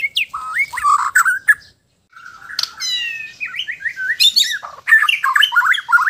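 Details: Relaxed song of a white-rumped shama from Sabah, Borneo: rich varied whistles and squawky notes, a short silence, then rapid rattling phrases and dense scratchy, whistled bursts.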